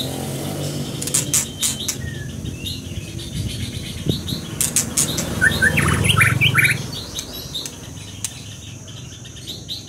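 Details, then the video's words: Scarlet minivet song: a brief cluster of clear, short whistled notes midway, among sharp clicks, taps and a low background hum. "Lửa siêu hót"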